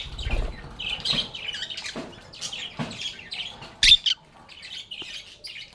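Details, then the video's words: Pet lovebirds chattering; soft, nasal high chirps repeat steadily, with a sudden loud sharp squawk partway through, a few low knocks, and quieter twittering afterward. "Lovebirds agapornis sounds"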